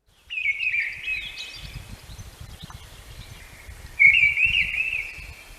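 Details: Mistle thrush (Turdus viscivorus) song: two short fluty, wandering phrases a few seconds apart, like a question and its answer, melancholy in tone, with low background rumble.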